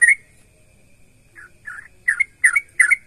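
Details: A yellow-vented bulbul (trucukan) sings in full voice, a song meant to prompt other bulbuls to sing: bubbly, liquid chortled notes in quick phrases, about five phrases in three seconds, over a quiet background.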